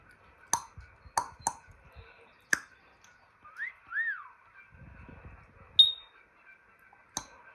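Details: Pet male African grey parrot producing imitated sounds: sharp clicks, two arched whistled notes like an electronic tone, then a short high beep and a final click.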